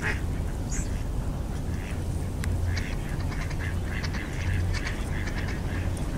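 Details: On a cool, drizzly winter afternoon at a lakeshore in Westhoek, Belgium, where it is uncommon, a Red-crested pochard among a gathering of ducks gives short, nasal, quacking notes in quick irregular bursts over a steady low rumble of wind or water.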